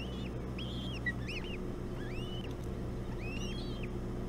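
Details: Ospreys feeding on a bullhead at the Hog Island nest just after 5 a.m., 11 June 2017: repeated arched whistles that rise then fall, plus one short chirp, over a continuous low hum.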